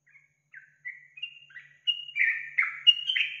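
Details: Lure recording of a yellow-vented bulbul meant to prompt a caged bird to sing: a quick series of gurgling, liquid whistled notes stepping upward and building into a loud, rich bubbling phrase.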